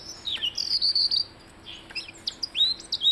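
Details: Blue-headed rock thrush giving loud, high whistled notes, some slurring downward and others held briefly, then a pause and a few sharp rising and falling slurs.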